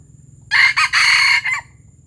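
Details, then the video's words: Palembang junglefowl crowing in the gerabas manner: four quick loud parts, the third held longest, all ending within about a second. A faint low background drone is present. "Ayam hutan palembang gerabas gerabas"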